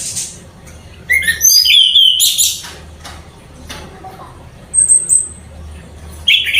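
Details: Caged orange-headed thrush singing: short bursts of bright, varied whistled phrases sliding down, separated by pauses, with a faint background hum.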